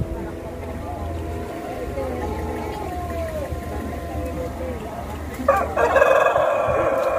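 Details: Pelung chicken crowing at a singing contest, the first held in Banyumas, at a durian agritourism site in Karangrau village, Indonesia; one long, drawn-out, slightly wavering crow, followed by a burst of loud crowd noise.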